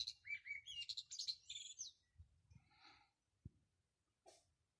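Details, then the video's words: Bird singing on a rooftop on 13 March 2020: a quick burst of bright, varied chirps and twitters for about two seconds, then a few softer notes and clicks, with a low rumble of background noise. "pájaro cantando en el tejado"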